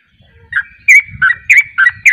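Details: Sooty-headed bulbul singing in the rapid 'ropel' style, with another bulbul joining in. Loud, clear, bubbly notes alternate between higher and lower pitches in quick succession, about five in two seconds.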